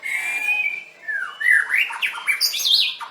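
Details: White-rumped shama (Copsychus malabaricus), a singing-contest bird, sings a rich, varied phrase: a long clear whistle, then quick slurred notes rising into high, sharp flourishes.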